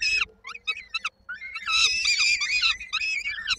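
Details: Peregrine falcon chicks at a nest in Koszalin, Poland, 19 May 2022, begging while waiting for their mother to bring dinner; harsh, high, screechy calls in quick bursts, rising into a long overlapping chorus of wailing cries.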